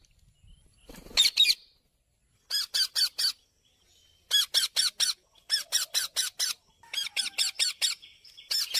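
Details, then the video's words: Indian parrot giving harsh, raspy squawks in rapid bursts of three to six notes, separated by short pauses and growing more frequent toward the end, with a brief soft rustle near the start. "Indian cute parrot sound"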